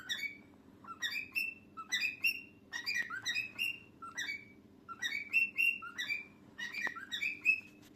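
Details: Cockatiel (Nymphicus hollandicus), song.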